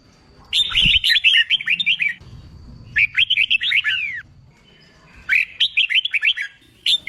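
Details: Red-whiskered bulbul singing as training for song contests, used to stir a newly caught bird into song: three loud bursts of rapid, bright whistled phrases with up-and-down slurred notes, broken by brief silences.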